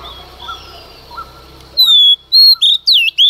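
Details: Early-morning song of a female Oriental magpie-robin, sung to provoke males. Quiet background chirping gives way to several loud, clear whistled notes, some rising and some falling, each sharply separated.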